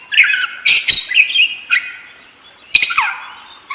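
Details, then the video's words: Budgerigar warbling, with scratchy chirps and clicks over a wavering whistled tone, a brief lull, then a fresh burst ending in a falling note. "SUARA BURUNG PARKIT ‼️ NGEROL DERES GACOR"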